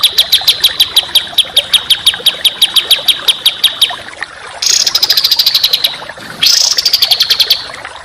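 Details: Rough, dense songbird song used to train contest birds. Evenly repeated high pulses run for four seconds, followed by two louder buzzing trills that slide slightly downward.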